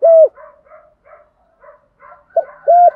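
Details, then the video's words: Decoy spotted dove calling wild doves with one-ending coos. A loud, smooth coo opens and another closes the phrase, with faint, soft muttering notes in between. "chim cu moi gáy gọi bổi, tiếng chim cu gáy kích bổi, tiếng gáy gọi một hậu"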